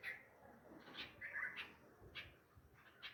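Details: After a cat struck their fledglings, nightingale parents call near their nest in a tree among flowering home pomegranate plants. Scattered, clearer chirps and one brief twittering phrase sound over a quiet, hissy background.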